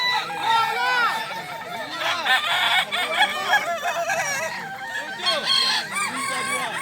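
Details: Kokok Balenggek roosters crowing against one another at a contest held on a dairy farm in Solok Regency, a thick chorus of rapid, stepped, bright syllables with no pause.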